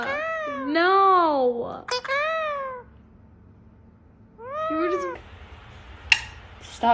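A pet parrot talks in drawn-out, rising and falling syllables that sound almost like a cat's meow.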